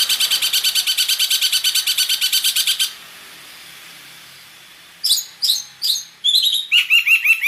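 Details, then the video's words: Long-tailed shrike, known locally as cendet, in a full mixed song with imitated phrases: a fast high buzzy trill of even repeated notes for three seconds, a pause, then loud sharp downslurred chips and rising whistled notes. "Suara Cendet Campuran Isian Full"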